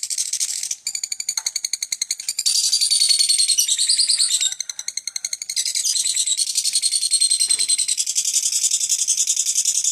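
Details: Lovebird ngekek, an unbroken chatter sustained over two minutes; dense, shrill, rattling pulses pour out continuously, alternating between louder harsh sections and slightly thinner stretches of rapid ticking.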